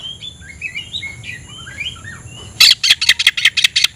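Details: Oriental magpie-robin singing with tail spread to provoke a rival: soft distant warbled whistles first, then a loud burst of rapid harsh scratchy notes.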